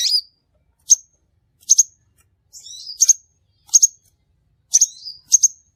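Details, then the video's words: Crimson sunbird calls played as a lure for trapping birds: high sharp chips and doubled tsit notes, interspersed with short descending slurred squeaks, spaced roughly every half second to second. "suara burung sepahraja ampuh"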